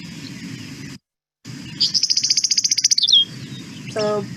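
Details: A meadowlark gives its buzzy chatter, a sound typically made when taking off from the grass or a fence post: about twenty rapid, dry, high pulses over roughly a second, then a brief sliding note, over a low background hum.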